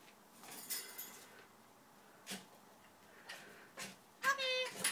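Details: Eclectus parrot, a 7-year-old pet male named Rocky of uncertain subspecies, chatters in short bursts of broad harsh notes ending in a clear whistled tone, with a person talking softly nearby.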